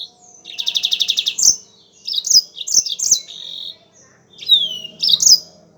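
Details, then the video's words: Yellow-fronted canary singing vigorously: a quick trill of about ten even, buzzy notes, then varied sweet chirps and warbles, with a clear downward-sliding whistle near the end. Recorded as a training recording for caged songbirds. "MASTERAN BURUNG MOZAMBIK GACOR"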